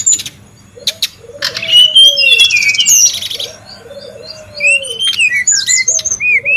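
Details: Noisy wild brown-chested jungle flycatcher, for lure and master training: low arched whistles repeated several times beneath bursts of high twittering and upslurred notes.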